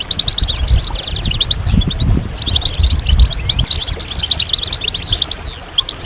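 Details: European goldfinches in a group, singing to stimulate males out of moult; dense overlapping twittering and tinkling notes, with some low rumbling noise underneath.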